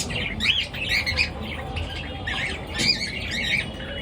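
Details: Early-morning pet birds squawking and chirping: raspy, high chattering calls in two busy clusters, with small whistled notes mixed in and a brief lull between.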